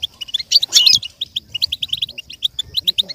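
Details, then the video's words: A goldfinch's song played for a goldfinch to learn from: a loud buzzy, tinkling burst opens, then a steady run of quick, evenly spaced high chirps follows. "With stimulation for the goldfinch to learn and imitate sounds"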